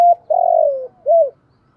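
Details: Spotted dove coo used as a decoy for wild doves: a short clipped note, a long, steady, gently falling coo, then a rounded arched coo, deep and hollow, with silence after.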